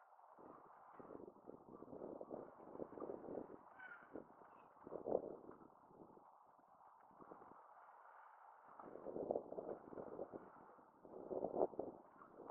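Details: Dense chorus of many Black-tailed gulls at the Kano River mouth, Numazu, Japan, 30 July 2023: overlapping harsh, nasal mewing calls that swell and fade without a break.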